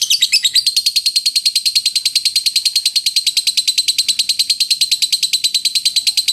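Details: Long ngekek chatter from a lovebird, a dense high trill of fast clicking pulses held almost level in pitch for the whole stretch, with no pause.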